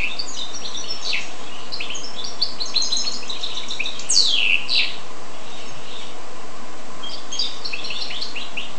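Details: A goldfinch crossed with a canary delivers rapid twittering song, dense chirps early on, then a loud sweeping downward slur around four seconds, a quieter stretch, and renewed chattering phrases at the close.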